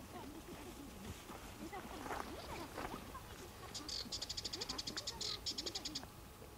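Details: Sardinian warbler (Sylvia melanocephala) begins to sing a fast, dry, chattering rattle of high notes by the Oued Massa river, Sous-Massa National Park, Morocco, after voices and rustling as two women pass on burros.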